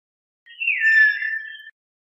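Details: Common hill myna uttering one clear whistle, just over a second long, that slides gently downward with a slight wavering quality; nothing else is audible.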